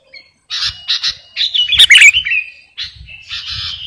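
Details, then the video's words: Sooty-headed bulbul, known locally as kutilang garuda, singing in full voice, suited for luring birds and as a master song; bursts of harsh, chattering notes with a louder scratchy phrase in the middle, separated by short pauses. "Burung KUTILANG GARUDA Gacor..!! cocok buat pikat masteran"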